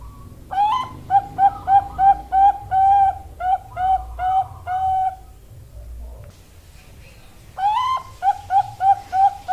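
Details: Female zebra dove of Bangkok type giving its cooing song: a series of clear, mellow hooted notes, each opening with a brief rising lead-in, repeated quickly in a steady run, a pause, then the phrase starting again.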